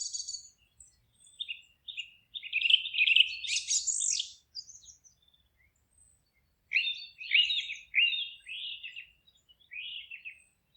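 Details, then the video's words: Birds singing in a forest, with bright, rapid twittering phrases. A loud burst of chirps comes early, then a pause, then a second run of descending, slurred notes. "Forest relaxing sounds of singing birds"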